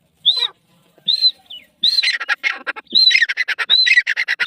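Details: Grey francolin (teetar) starting with spaced, loud whistled notes, then building into a rapid, grating chatter punctuated by further whistles every second or so.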